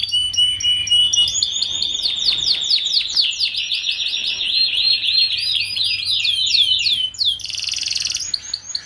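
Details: Young canary singing, its recording meant as a tutor so group-caged young canaries learn to sing quickly; a rolling high trill gives way to rapid chains of descending swept notes, ending in a harsh buzzy burst.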